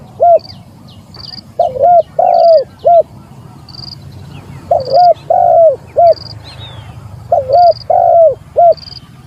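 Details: Spotted dove calling out a rival, recorded as a lure: low mellow coos in short grouped phrases, roughly every two seconds, over a faint hum, with another bird's thin high whistles repeating between the phrases.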